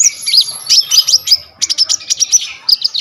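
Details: Kolibri ninja song, from the olive-backed sunbird, as a tutor recording shot on a vivo Y21: piercing high warbles and sweeping whistles, then a run of rapid, evenly spaced sharp chips.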